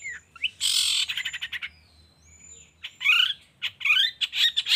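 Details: Long-tailed shrike provoking sound played in the morning to set reluctant shrikes calling: a loud grating squawk, a stuttering chatter, pauses with faint whistles, then harsh, rising and falling scolding notes in quick bursts.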